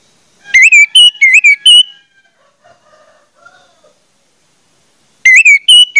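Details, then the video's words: Orange-headed thrush singing as a lure for other orange-headed thrushes: a phrase of loud whistles with up-and-down slurs, soft low background sounds during the pause, then another whistled phrase begins. "pancingan anis merah bikin anis merah lain cepat ngeplong"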